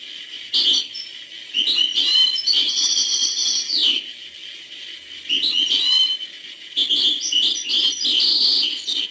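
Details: European goldfinch in hbal song style, delivering three loud phrases of fast liquid twitters, sweet trills and a drawn-out buzzy note, separated by brief quiet gaps.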